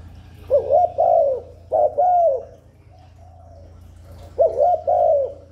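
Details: Spotted dove cooing to lure wild doves in and stir newly kept birds: two bursts of hollow, rolling coos, each a quick doubled note then a longer drawn note, separated by a pause of about two seconds, over a low steady hum.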